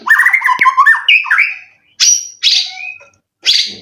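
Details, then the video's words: Caged white-rumped shama, an Indonesian contest bird moulted three times, gives a quick tumbling run of mid-pitched slurred whistles, then three separate high, harsh, sharp notes with short silences between. "Burung Murai prestasian udh kondisi 90% materi full clilin siap turun Lg!"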